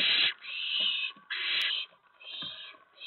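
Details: Owlets at a nest at night, 10 September 2017, around 2 AM, as adults deliver a mouse and a rat; harsh hissing bursts roughly every second, uneven lengths, with faint scuffling between.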